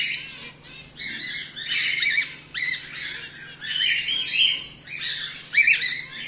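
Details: Home-bred cockatiels, named as whiteface emerald and exhibition grey male, utter coarse screechy calls in choppy bursts, some with a thin whistled tone drawn out near the end; low hum in the background.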